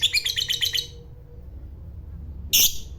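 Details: Fighter lovebird bred for the long 'ngekek' trill, giving a brief rapid chattering run of about eight harsh notes, then a pause and a single loud raspy squawk.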